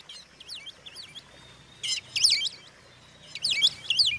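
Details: Magpie-robin song used to goad rival birds: soft scattered twittering phrases, then three loud bursts of harsh, buzzy chatter separated by quiet gaps; a faint low hum runs beneath.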